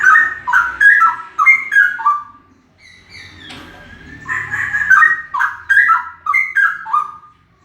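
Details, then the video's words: Very loud male straw-headed bulbul giving rich, gurgling whistled song phrases with stepping, warbling notes, a brief lull with fainter whistles in the middle, then another loud burst of bubbling song. "Cicak rowo suara keras banget"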